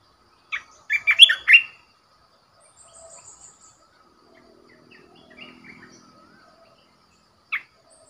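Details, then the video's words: ['Red-whiskered bulbul, a caged decoy bird, sings one quick burst of warbled whistled notes early on, then faint chirps, and a lone sharp note near the end.'] "เสียงนกกรงตาแเดง Ep.13 #นกต่อเจ้าหยก Burung merbah belukar"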